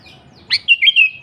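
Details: Sooty-headed bulbul singing energetically, one lively phrase: a sharp rising opener followed by three bubbly, clear whistled notes that drift downward, with quiet background hum.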